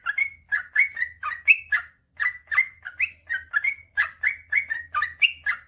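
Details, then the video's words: Sooty-headed bulbul giving a long run of song meant to prompt lazy birds to sing: liquid, slurred whistled notes in a steady bouncing rhythm, with one short pause near the two-second mark, over a quiet background. "suara burung trucukan gacor ropel panjang"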